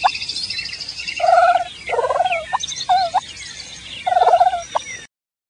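A wild turkey gives four soft, rolling, fluttery purrs, each about half a second long. Thin, high songbird chirps sound in the background.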